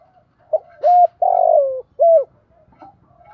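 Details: Spotted dove calling to challenge wild doves: a series of deep hollow coos, one long drawn-out note sliding slightly downward, then a short arched coo, in a quiet setting.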